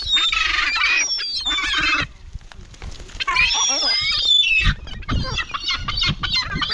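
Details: Cemetery gulls produce loud, strained squealing cries in two main bursts, followed by scattered clicks and low thumping noise.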